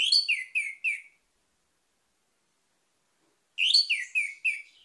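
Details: Orange-headed thrush singing two short bursts of four or five loud, descending whistled notes each, separated by about two and a half seconds of silence.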